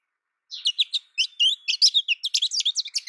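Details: High, fast American goldfinch twittering that starts after half a second of silence and speeds into an unbroken chain of sweet, bouncing chirps.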